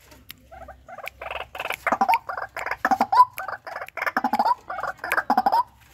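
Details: Loud, lively calling of a captive-bred white-breasted waterhen. Quiet opening notes lead into a long, steady string of rasping croaks, with a faint low hum beneath.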